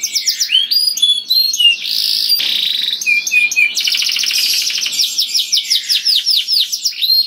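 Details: Canary singing loudly and melodiously, used to lure other canaries: a continuous high song of rapid trills, buzzy rolls and repeated down-slurred notes, shifting phrases every second or so, with no other sounds.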